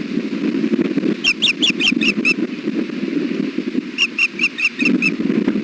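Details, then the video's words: Male osprey brooding on a nest on a very windy afternoon, 1pm, 3 July 2016, at Hellgate: two bursts of six or seven sharp, high, repeated chirps, each burst about a second long, over steady rumbling wind. "Louis sounds alert while broodi"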